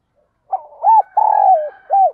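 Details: Spotted dove used as a decoy to draw in wild birds, giving one full phrase of soft, hollow coos: a short lead-in note, then a rounded coo, a long drawn-out croon and a final rounded coo.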